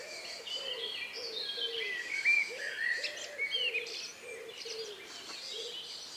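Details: Birds in the countryside at nightfall, May 2, 2020, about 9 p.m.; quieter whistled and chirping phrases from several birds, with a low soft hooting series pulsing underneath and steady background hiss.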